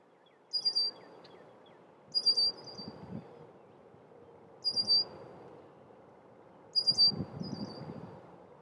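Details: Male red-winged blackbird warning of intruders nearing its nesting area: thin, high whistled calls with bright overtones, given in four short bursts about every two seconds over a faint low rumble.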